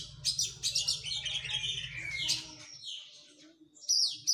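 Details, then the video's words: Oriental magpie-robin in post-moult training: a dense tumble of high chirps and buzzy notes over a low hum, a brief pause, then bright rising whistles. "KACER PRO HYPER LATIHAN FISIK PASKA MABUNG.!!!"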